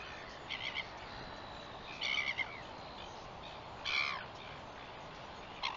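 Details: Northern royal albatross, recorded 21 September 2021, giving harsh, croaking, crow-like calls in short bursts, four over six seconds, against a steady windy hiss.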